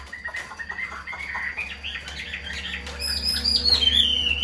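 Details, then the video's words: Caged Chinese hwamei, a hand-raised bird in Vietnam, starts with soft scratchy notes, then bursts into loud high whistles that slide downward, over a steady low hum. "Chim thuần sách tay hót, đấu tốt - Hoạt Họa Mi"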